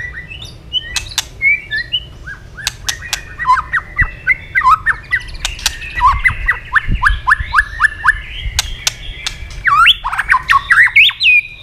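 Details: White-rumped shama, stimulated into quick, tense fighting song while flicking its tail, pours out rapid strings of descending whistled notes, buzzy slurs and harsh clicking bursts, densely repeated at several notes per second.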